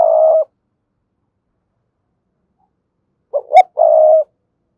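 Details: Spotted dove cooing to call a rival bird: a low, mellow, steady coo opens, then after a three-second silence come two short clipped notes followed by a longer sustained coo. No other sounds are heard.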